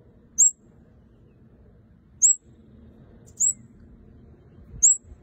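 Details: Red-headed kemade calling energetically with four separate piercing, high-pitched notes, each a brief falling slur, spaced roughly one to two seconds apart over a soft low rumble.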